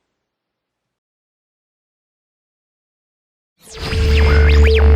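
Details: Silence for about three and a half seconds, then music begins abruptly with a low sustained bass, a steady mid tone and sweeping synthetic tones. No animal sound is heard.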